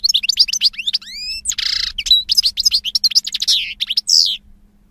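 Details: European goldfinch song: quick chirps, a series of smooth rising whistled slurs, a buzzy nasal note, then a rapid run of liquid twittering fading out at the end.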